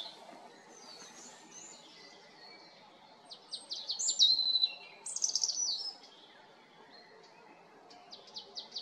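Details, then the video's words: A European robin sings in spring, a high, varied phrase of thin whistles and quick liquid trills, loudest in the middle, with softer chirps from other birds around it. "RUDZIK pięknie śpiewający wiosną / Singing robin"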